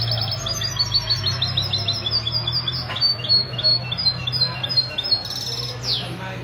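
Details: European goldfinch in a Sunday morning song contest at a café in Ksar El Kebir, 16 February 2020; rapid high twitters and trills over a steady low hum, with a scratchy sweep near the end.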